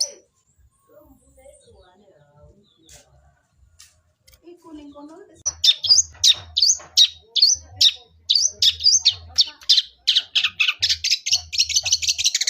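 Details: Long-tailed shrike singing in the fighting "gereja" style: several quiet seconds with faint low hum, then a fast, irregular run of sharp high chirps and short whistled notes, about three per second.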